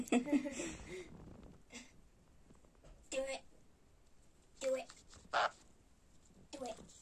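A sun conure gives short, harsh, raspy squawks and chattering notes in scattered bursts.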